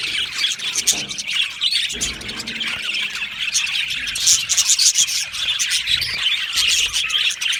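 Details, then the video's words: Budgerigars chirping together in an aviary colony: a dense, continuous chatter of high squeaky chirps and warbles, with louder bursts of rapid overlapping notes in the second half and short squeals throughout. "Australian Budgie parrot chirping sounds"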